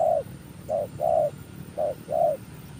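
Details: Spotted dove coo used as a lure call, short clipped note followed by a longer mellow coo, the pair given twice in under three seconds over a faint low hum.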